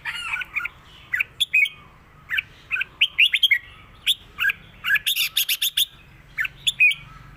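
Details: Red-whiskered bulbul, kept as a cage bird, delivering a clear southern Thai style song used to teach birds: rapid, dense run of bright warbled and chirped notes with a steady busy rhythm.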